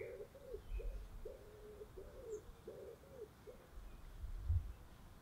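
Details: German Vorwerk hen basking in the sun in Denmark utters about six low, droning, evenly spaced notes, each half a second long, over soft background rumble and a faint distant bird.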